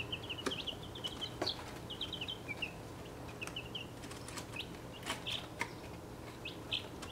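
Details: Chicks aged 1.5 weeks in a travel box they are outgrowing. The breeds are Welsummer, Cream Legbar, Plymouth Rock, Australorp, Buckeye and Wyandotte. High chirping peeps come in quick runs, then thin out, with sharp taps and rustling of feet and wings.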